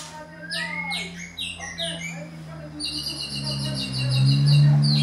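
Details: White-rumped shama song as a lure for a caged shama to answer: rising whistles and short sweeping phrases, then a quick run of repeated high chips, over a loud steady low hum throughout.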